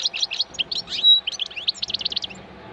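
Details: Wild European goldfinch singing a lively, fast twittering song of bright tinkling notes and short trills, with one drawn-out whistled note near the middle, over faint low background hum.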